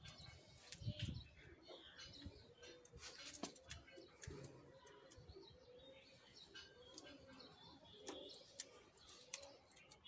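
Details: Fancy pigeons cooing: soft, low, arched coos repeated every second or so through the recording, with faint chirps of small birds and scattered clicks and knocks around them.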